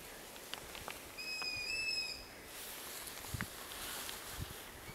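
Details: Long-eared owl (Asio otus) chick begging for food, its begging siblings heard around the terrain; one drawn-out, high, squeaky whistle rising slightly like a creaking gate, then breathy hiss and faint clicks.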